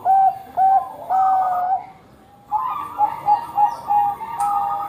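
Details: Bangkok zebra dove in eager song, used to coax other doves into singing. Two short loud coos, then a longer whistled phrase, a pause, and a run of rapid, rhythmic cooing notes.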